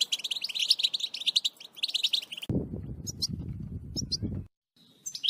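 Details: An excited, agitated European goldfinch pours out a fast, tinkling, high twitter for two seconds. Then a low rumbling noise takes over with only scattered bright notes.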